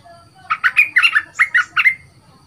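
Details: A caged bulbul (merbah lekir) with a big voice, two months in the cage and being trained as a new decoy bird, gives one bubbly, chattering phrase of about seven rich notes in quick succession, ending on a slightly drawn-out note, against a quiet background.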